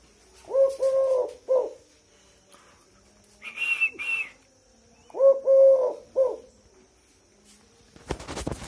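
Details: Tame Eurasian collared dove giving two three-note coo phrases, a short coo, a long level coo, then a clipped final note, about four seconds apart, with a brief higher squeak between and a sharp click at the end.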